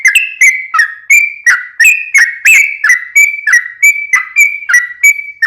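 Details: Whistled lure song of a sooty-headed bulbul for drawing replies from other bulbuls: a steady string of about fourteen clear notes, each dipping or rising slightly, repeated about three times a second, clean with no other sounds.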